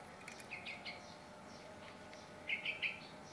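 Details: Very tame Javan myna, described as able to talk, giving a few thin high chirps, then a quick run of three sharp chirps near the end, against a quiet humming background.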